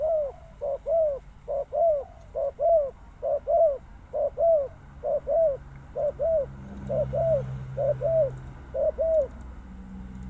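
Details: Long run of spotted dove cooing, about fourteen paired notes, a short coo then a longer falling one repeated roughly every second, over a soft low background drone.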